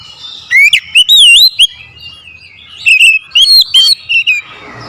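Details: Oriental magpie-robin singing an aggressive song, provoked to challenge a rival: loud, clear whistled phrases with rapid rising and falling sweeps and sharp chips, delivered in two bursts separated by a quieter pause.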